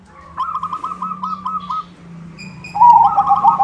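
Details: White zebra dove, used to call in other zebra doves, giving a run of evenly spaced soft rippling coos, then a louder burst of fast gurgling notes, over a low steady hum.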